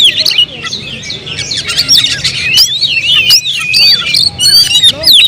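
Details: Oriental magpie-robin kept in a cage sings a dense, continuous run of twisting whistles, chirps and harsh squawky notes, tumbling rapidly without pause.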